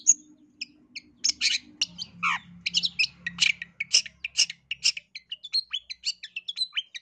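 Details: Long-tailed shrike of the East Java type singing as a lure to provoke other birds: varied harsh chirps and a downward slurred note, then a lively run of short high notes, with a low hum in the background.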